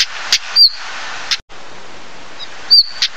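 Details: Stonechat, Saxicola torquatus: two thin, high, falling whistled notes, each set among hard, clicking tack sounds, against constant low hiss.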